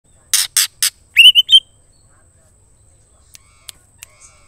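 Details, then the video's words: White-rumped shama female calling the male: three harsh broadband rasping notes followed by a quick series of short whistled notes, then near silence with a few faint clicks. "murai betina Memanggil jantan"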